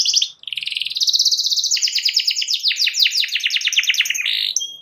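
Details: A singing canary gives a fast, high, rolling song of rapid repeated trills and chattering notes that shift in pitch, used to provoke rival canaries into singing along. No other sounds are heard.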